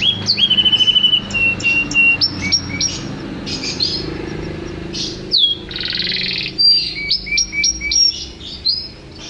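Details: A champion canary delivers a varied song: a quick stuttering opening, a lower warbled trill, then a mix of short sliding whistles, clipped notes and a buzzy stretch.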